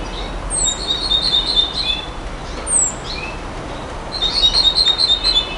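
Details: Nightingale song of high, thin, down-slurred whistles followed by quick runs of bright, ringing repeated notes, with a final longer rapid trill, over faint hiss.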